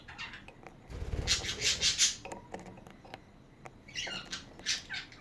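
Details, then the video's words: Budgie chatter: a grating rasp with fast, scratchy chirps, then a pause and more bright, harsh twittering notes. "Hours of chatting budgies"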